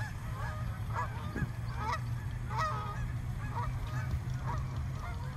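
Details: More than a hundred frightened swans in a small park: overlapping nasal honks and bugling notes, several at once around the second and third seconds, over a steady low rumble.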